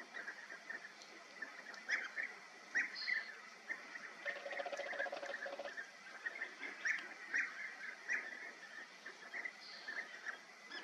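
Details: European bee-eaters at Bölcske, Hungary, give a steady stream of short, rolling, liquid 'prruip' calls from several birds at once, with a brief low buzzing hum partway through.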